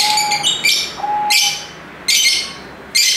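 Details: Noisy lovebirds give rasping, high shrieks, a rapid run at first and then single harsh bursts spaced under a second apart, with a short steady tone in the first second.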